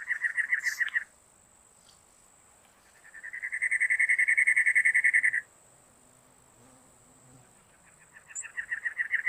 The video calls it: SOUND OF CACKTUS WIREN BIRD